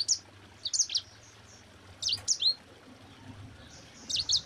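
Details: Mozambique canary (sanger) in 'ngerol rapat' rolling song style, kept as a master for teaching other birds: four brief clusters of very high, quick chirping notes spaced about a second apart over a faint low hum.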